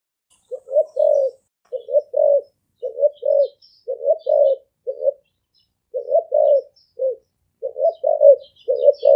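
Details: Spotted dove cooing in quick bursts of two or three short, low, breathy notes, phrase after phrase with brief gaps, one short lull midway; faint distant chirps of small birds.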